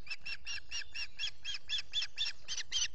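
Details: Osprey at a nest in the Finger Lakes, US, filmed by a solar nest camera while feeding chicks on the early morning of 14 June 2021; a rapid, even run of about thirteen short, harsh whistled chirps in three seconds.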